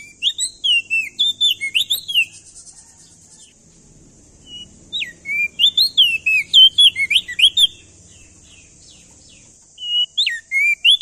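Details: A male ashy tailorbird from Nusa Tenggara sings loudly to set other birds singing: quick runs of high, twisting whistled chirps in three bursts with quiet gaps and a steady faint hiss.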